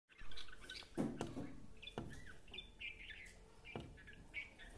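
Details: A Red-whiskered bulbul being played with by a person gives short, bright chirping notes, several within a few seconds, partly masked by loud knocks and handling thumps.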